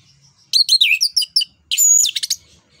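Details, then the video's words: Orange-headed thrush, known locally as anis kembang, delivering a 'ngeplong nembak' training song: two fast bursts of varied chirps and whistled twists, the second containing a long high thin note. "ANIS KEMBANG NGEPLONG NEMBAK BUAT PANCINGAN"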